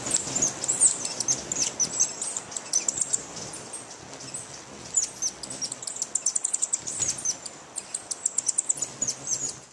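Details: A Booted Racket-tail hummingbird in the Amazon rainforest, defending a food source with other hummingbirds nearby, gives very high, thin, rapid ticking chips in quick bursts against an otherwise quiet forest background.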